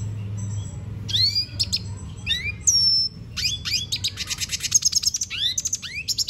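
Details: Red siskin in lively song, mixing upward-sweeping whistles, a sustained thin high note and a quickening stutter of sharp chips that builds into a buzzy trill.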